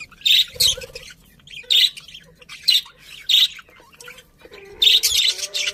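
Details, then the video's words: Budgies chirp in loud, harsh bursts at irregular intervals of about a second, with quieter chatter and low warbles in between. "Cute Budgies Chirping Sounds"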